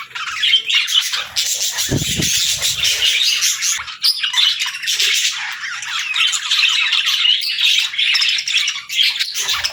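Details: Pet parrot at the start of its day in the morning, giving a dense, almost unbroken run of harsh high squawks and chirps, with a brief low thump near the two-second mark.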